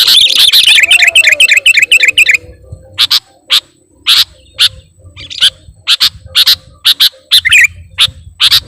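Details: Sooty-headed bulbul singing actively on a lure recording. A dense burst of chattering chirps opens the clip, followed by sharp, separate high notes repeated about twice a second over a faint low hum.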